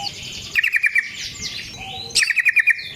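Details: Yellow-vented bulbul, a vocal, fighting-style bird used as a lure to make other bulbuls sing, giving two quick bursts of bubbly, clear notes about half a second apart. A quiet chattering hum fills the gap between them.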